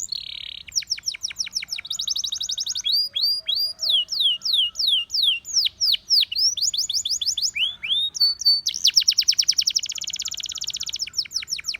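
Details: Canary of Russian singing type, song intended to seduce other canaries: a long varied sequence of sweeping downslurred notes, rapid buzzy trills and short whistled phrases, delivered continuously at a brisk rhythm.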